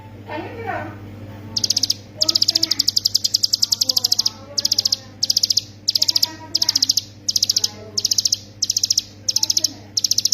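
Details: Hill prinia song used as a master recording for training songbirds. After a quiet start, rapid bursts of five to eight high, sharp ticking notes repeat about every half second, with faint low chatter behind and a steady low hum.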